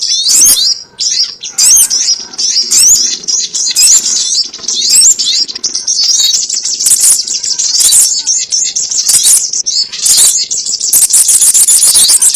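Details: Sogon lure for trapping: long run of high, rapid squeaky chirps and twittering whistles with short gaps, growing denser and more continuous toward the end.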